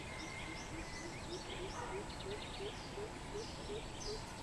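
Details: Greater coucal, 13 June 2020, a clear series of about a dozen booming hoots, each a little higher than the last, roughly three per second, with other birds chirping and a brief trill.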